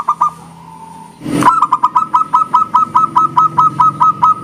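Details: Local zebra dove singing its engkel song, which sets other doves answering: after a loud thump, a steady run of about fifteen quick, evenly paced cooing notes on one pitch, over a low hum.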